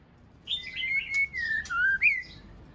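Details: White-rumped shama female calling to stimulate males, a short phrase of connected whistled slurs gliding down then flicking upward, with a few sharp upper notes mixed in.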